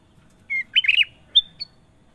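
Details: Kutilang emas (golden bulbul) singing clearly. A steady whistled note is followed by a bubbly, gurgling run of warbled syllables, then two thin, high whistles. The background is quiet.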